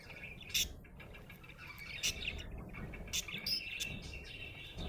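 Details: Happy budgerigar chirping: a thin scratchy warble punctuated by several brief, sharp, bright clicks and squeaks about once a second, over low background noise.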